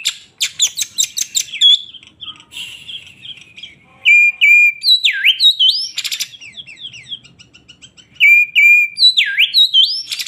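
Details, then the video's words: Excited Oriental magpie-robin of the poci type in vigorous song: rapid chipping notes, then clear whistled phrases with deep downward-swooping and upward-curving notes, repeated twice, mixed with scratchy buzzes. "BURUNG KACER poci gacor emosi"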